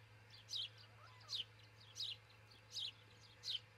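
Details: Nest-cam osprey in Charlo, Montana, around 4:50 am on June 22, 2018: five high, slurred chirps, each falling slightly, spaced under a second apart, over a faint low hum.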